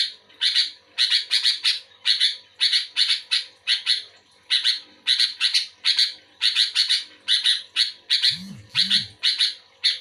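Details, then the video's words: Sooty-headed bulbul in lively song, responding to another bulbul. Rapid, rasping chirps come in twos and threes throughout, with two brief low thumps near the end. "Suara burung kutilang gacor aktif merespon kutilang bahan omyokan macet malas bunyi auto bunyi gacor"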